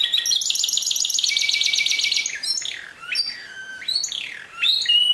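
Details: Canary song opening with a dense buzzy fast trill lasting two seconds, followed by a series of loud descending slurred whistles and brief chirps.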